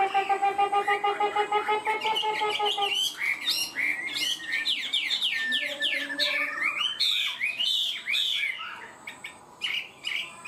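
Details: Caged Chinese hwamei singing high and steady. It begins with a rapid, even string of repeated piping notes for about three seconds, then breaks into a fast, jumbled cascade of loud whistles and chattering warbles.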